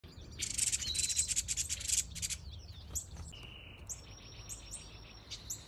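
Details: Breeding yellow-crowned bishop in an outdoor mixed aviary with a nest holding a chick and egg: a rapid two-second burst of high, sizzling buzzy notes, then thin, high whistled notes over low rumble.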